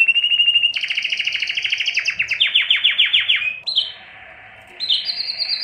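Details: Male canary song used to stimulate hens for breeding: a rapid trill, then a slower series of descending rolled notes, a quieter pause and high whistled notes.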